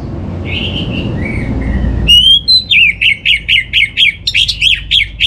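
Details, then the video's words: Orange-headed thrush singing as a lure to prompt another bird's song: soft slurred whistles at first, then a loud run of sharp, looping whistled notes repeated about four times a second. "Trbaik Buat Pancingan Burung ANIS MERAH Agar Gacor"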